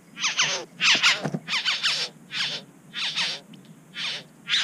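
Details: Satin bowerbird at its bower in NSW, Australia, captured on a GoPro while birds interacted and a third arrived. Harsh, buzzy rasping bursts are repeated irregularly, about one and a half per second.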